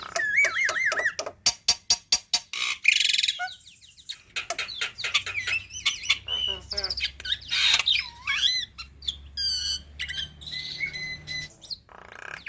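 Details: Black-winged myna master song meant for young birds to copy quickly: fast rattling clicks, wavering whistled slurs, harsh squawks and buzzy notes tumbling together in a rich, varied, energetic sequence.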